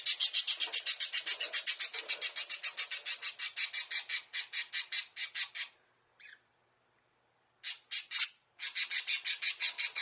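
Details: Caged pet budgerigar in a small bird house, seemingly calling its keeper to come and play; a rapid run of sharp, harsh squawks repeated about twice per second, a brief pause, then the squawking resumes.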